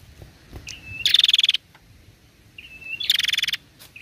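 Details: Female prinia calling to prompt other prinias to respond. Twice, a high thin whistle runs into a rapid, buzzy ticking trill about half a second long, separated by quiet gaps.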